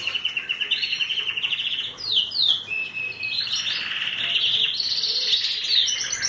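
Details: Young Belgian canary of mixed breeding singing in the sun: rapid pulsed trill at first, then quick descending slurred notes and a long, rich, rolling warble held for several seconds.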